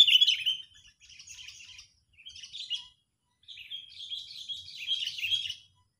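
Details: Agitated sooty-headed bulbul used as a trapping lure. A loud chirp begins the recording, followed by bursts of scratchy, high twittering notes with short gaps. It ends in a longer, slurred chattering phrase.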